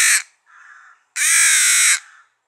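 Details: Rook chick found on the ground after failing its first flight, placed on a branch and hand-fed every two hours at feeding time; loud, harsh rasping begging cries, a brief cry then a longer one near two seconds, with softer nasal notes between.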